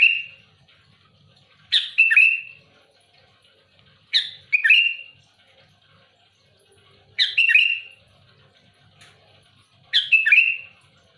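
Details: Sooty-headed bulbul singing loud and actively against rivals, giving five short gurgling phrases, each a quick stutter of notes into a falling whistle, roughly every two to three seconds.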